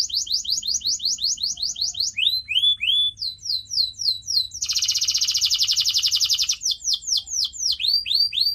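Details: Canary song recorded for training pet birds: rows of quick downward-slurred whistles, a few lower descending notes, then a dense two-second buzzy trill before the slurred whistles return.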